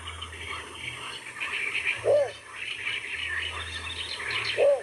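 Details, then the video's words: Cinnamon Bittern, a water bird, giving two short, hoarse, mid-pitched notes about two and a half seconds apart, over a steady hum of insects and distant birds. "cinnamon Bittern"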